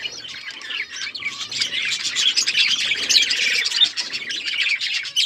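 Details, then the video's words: Budgerigars kept as pets chirping in a busy chorus, rapid overlapping tweets and warbles, about three notes a second, swelling louder through the middle. "Budgies chirping sounds and budgies talking"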